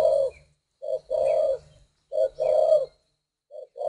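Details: Spotted dove giving low, mellow paired coos, a short lead-in note then a drawn-out coo, repeated about every one and a half seconds.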